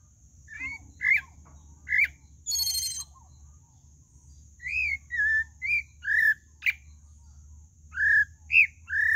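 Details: Pale-breasted thrush song of varied whistled notes, some upslurred, some downslurred, in rapid phrases with pauses; one harsh buzzy burst breaks in early, and a thin high hiss runs underneath.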